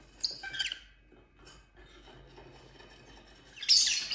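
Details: Household lovebirds playing and fighting together give a cluster of sharp, high chirps, then a quiet gap with faint rustling, then a burst of loud, shrill, scratchy chattering.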